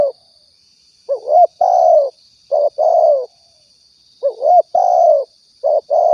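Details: Spotted dove from Riau, a lure recording for trapping and hunting: paired phrases, a short wavering rising coo followed by a longer steady purring coo, repeated in two bursts over a thin constant high whine.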